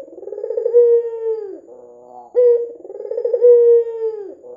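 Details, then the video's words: Lure recording of a red-eyed white ringneck dove in full voice: low purring, throaty coos that roll, hold a level note, then slide down, two phrases separated by a short soft gap. "PANCINGAN PUTER PUTIH MATA MERAH GACOR"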